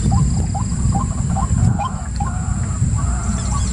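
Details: Quick chain of short rising croaks from a white-breasted waterhen, strongest at the start and then growing fainter, set against a loud continuous low rumble.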